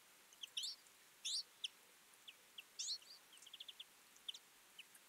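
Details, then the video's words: Twite flock feeding in winter: scattered high, thin chirps and short rising twangy notes, some in quick pairs, with brief bursts of twittering from several birds against a quiet, steady background. "Twite. Flock of birds in winter"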